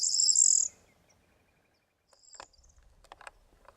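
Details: Corn bunting song heard as a short, loud, dry buzzy jangle lasting under a second, followed by quiet with faint scattered clicks and rustles.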